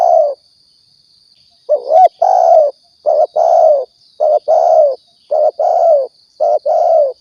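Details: Spotted dove (tekukur or balam) from Riau, call used to lure birds for trapping and hunting; series of low mellow coos in pairs and triplets, a short note followed by a longer one, repeated steadily over a faint high hiss.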